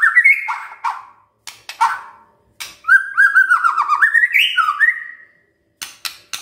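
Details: White-rumped shama singing at morning, used to make silent shamas join in: sharp clicks and short chirps separated by pauses, then a rich warbled whistle phrase climbing and falling, ending with more sharp clicks.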